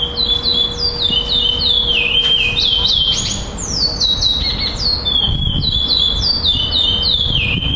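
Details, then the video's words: Chestnut-bellied seed finch, a black male that took second place at a singing tournament in Florianópolis, Brazil, on 11 December 2011. It gives a fast run of clear whistled notes, each sliding downward, repeated in phrases, over a steady low hum. "GUARA 2º LUGAR FLORIANOPOLIS PRETO COM REPETIÇAO TORNEIO 11-12-2011"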